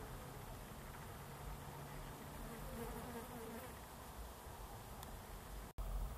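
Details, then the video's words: Lesser nighthawks recorded in May 2022; one gives a low, steady, purring trill almost like a buzzing insect, over a steady rumble of background noise. "Lesser Nighthawks Song"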